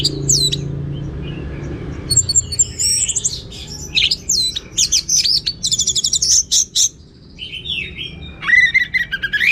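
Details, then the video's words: Orange-headed thrush in rich, varied 'gacor teler' song: fast sequences of sharp, high chips and buzzy trills in rapid bursts, interspersed with slurred whistles, ending with a rising whistled phrase. "Suara Gacor Burung Anis Merah Teler Materi Melimpah"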